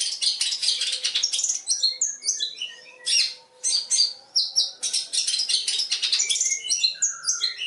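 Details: Long-tailed shrike training song packed with mimicked fill. Scratchy bursts alternate with quick high whistled and chirped notes in a varied, nearly continuous medley.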